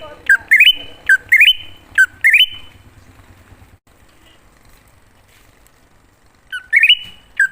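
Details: Greater green leafbird song recorded from a wild bird and used as a lure to call other leafbirds: three rising, stepped whistled phrases with held ends, a long near-silent gap, then the phrases start again, over low rumble.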